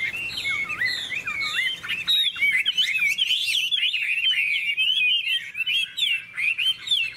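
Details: Hwamei singing competitively, a bright golden bird with a big tail that works its wings: fluid looping whistles give way to a rapid, busy stream of chattering trills and sharp upward slurs.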